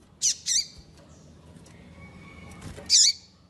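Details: Female Double-collared seedeater calling to warm up males: a quick pair of high piping notes, a thin sustained whistle, then one loud sharp note near the end.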